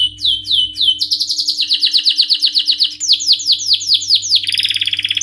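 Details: Canary song: fast repeated downslurred whistled notes in changing tours, first slower sweeps, then rapid rolls, a higher run of sweeping notes, and finally a lower, denser buzzy trill, with no other sounds.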